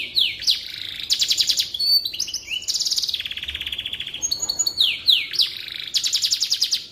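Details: Singing canary, played as a tutor song for magpie robins: long varied phrases of fast rattling trills alternating with downslurred whistles, one tour following another without pause.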